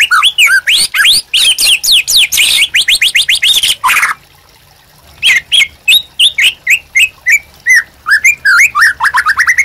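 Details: White-rumped shama master song for training captive birds: dense rapid trills and sweeping notes, a short silence, then a brisk series of sharp rising whistles.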